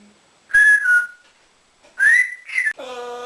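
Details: Captive African grey parrot, a male kept as a pet indoors, whistling: two clear slurred whistles, the second sweeping upward, followed by a buzzy, harmonic-rich nasal sound like a mimicked meow or quack.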